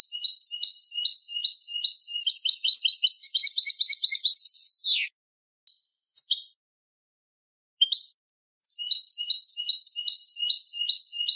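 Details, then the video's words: Canary singing the Malagueño song style for training young birds: fast repeated high trills and chirped phrases ending in a descending sweep, then brief silence and isolated notes before the trilled rolls resume. "cd canto malagueño"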